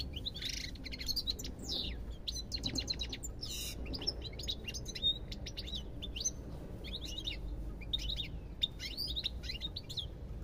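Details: Goldfinch song of buzzy rattles, quick trills and tinkling chirps strung together continuously, a couple of brief harsh bursts early on, over low background noise.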